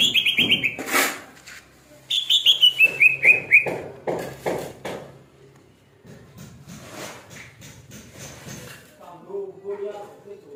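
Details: Greater green leafbird giving bright whistled phrases that slide gently downward, broken by clicks and rustling. Quieter chatter follows, with a low hum near the end.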